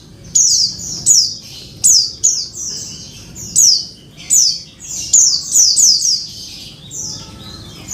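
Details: Calls of a female Oriental white-eye summoning a male, used as therapy for a male that stopped singing: a rapid series of high, thin, downslurred buzzes, sometimes three in a quick run.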